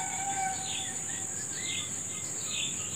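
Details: Several birds in the morning: drawn-out whistled notes at middle pitch mixed with brief high chirps, set against a steady shrill insect buzz.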